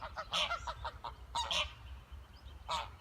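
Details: A duck family in a natural setting: loud, harsh, honking calls in a quick cluster of several notes, a pause, then another burst and a single call near the end, over a low steady background rumble.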